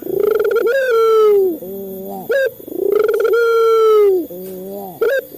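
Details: Local male Barbary dove played to prompt caged doves into calling. Two full phrases, each a pulsed rising coo into a long falling tone, then a soft lower wavering note and a short sharp rising chirp.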